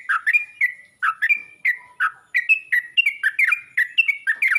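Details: A Yellow-vented bulbul calls to others of its kind with clipped, liquid phrases, first spaced by short gaps and then quickening into a lively chattering series of warbled notes.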